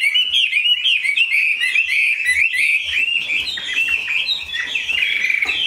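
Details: Kept Chinese hwamei singing a loud, continuous stream of varied whistled notes and rapid slurred phrases, rich and unbroken throughout, with faint low knocks in the background.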